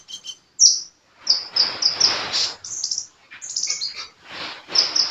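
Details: Energetic sunbird song: sharp, squeaky, very high notes and quick downslurred chirps in short bursts, mixed with harsh, noisy rasping sounds between phrases.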